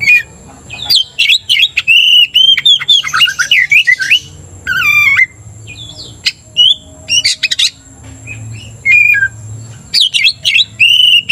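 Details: Oriental magpie-robin singing energetically, used to provoke another magpie-robin into aggression: loud whistled phrases, rapid sharp chips and slurred rising and falling notes in bursts with short pauses, over a faint constant high whine.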